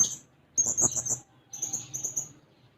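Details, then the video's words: Blue-crowned hanging parrot seeking a rival, heard more softly: two short runs of thin, high, buzzy pulsed notes, each lasting well under a second, separated by a short silence. "Serindit Gacor Mencari Lawan"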